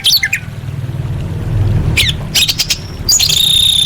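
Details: A female orange-headed thrush calling males, a recording played to coax quiet birds into song. Scattered short, high chirps end in a loud, sustained whistled note with overtones, over low background rumble.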